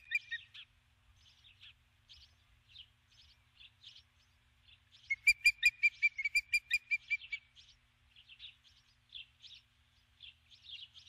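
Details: Female osprey calling for her mate while on the nest at dusk, after landing with a stick: a run of sharp, high whistled chirps rising to a loud rapid burst midway, then fading back to softer scattered notes.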